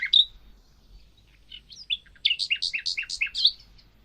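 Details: Mockingbird song: a few scattered high whistled notes, then a rapid run of about ten sharp, bright chirps alternating between two pitches, in a quiet setting.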